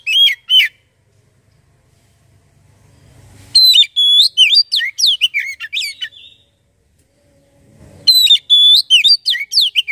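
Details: Oriental magpie-robin song for luring magpie-robins to sing: a short pair of whistles, a pause with faint low rumble, then two long, fast bursts of varied sliding whistles and chirps.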